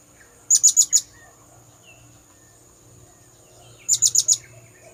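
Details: Lure call of the blue-crowned hanging parrot for attracting birds: two bursts of four piercing high pulsed notes about three seconds apart, with a constant high tone and faint low rumble beneath.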